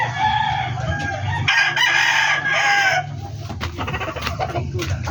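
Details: Backyard breeder's poultry yard with a rooster giving a long harsh crow over constant clucking and a low background hum, followed by scattered short clucks and clicks.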